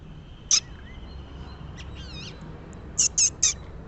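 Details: Piercing single screech of a rose-ringed parakeet, then a run of three sharp shrieks; softer wavering whistles of another bird sit between them.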